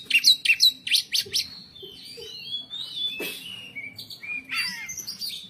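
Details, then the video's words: Cage-kept white-rumped shama song featuring 'pletik' notes: a run of six loud sharp chips opens, followed by wavering whistles, a scratchy burst and further whistled phrases. "Kacer bongkaran pletik pletik"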